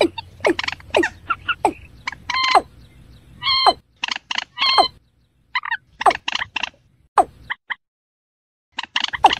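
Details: Watercock (Gallicrex cinerea) calling slowly: short, hollow, knocking notes with a ringing, resonant tone at an uneven pace of roughly one per second, broken by a few brief silences.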